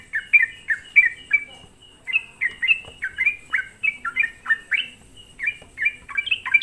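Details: Sooty-headed bulbul lure song to provoke rival bulbuls: bursts of bright, falling chirps, a short gap after the first second, then a steady patter of similar notes to the end.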